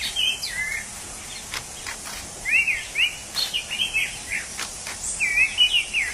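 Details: Wild orange-headed thrush producing a long sequence of rapid, rising and falling whistled notes, somewhat jumbled, amid steady insect noise.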